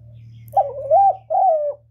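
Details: Spotted dove cooing, kept by a bird keeper to draw wild doves toward the trapping spot; two low, wavering hooted notes, the second slightly longer, over a quiet low hum.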